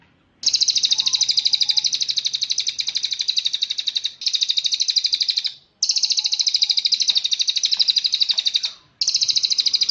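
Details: Cililin song played as a master for training birds: four long bursts of rapid, high-pitched, evenly pulsed trilling with short pauses, faint low background hum.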